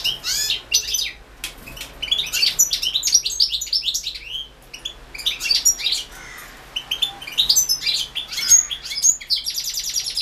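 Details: Competition song of a European goldfinch, recorded for a 2016 internet world championship in goldfinch singing. Fast, liquid twittering with buzzy trills and tinkling high notes, pouring out in dense phrases with short pauses between them.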